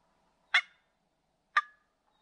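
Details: Wild turkey, a young male jake, during a morning hunt in New Brunswick, Canada: two short, sharp, clipped clucks about one second apart against a silent background.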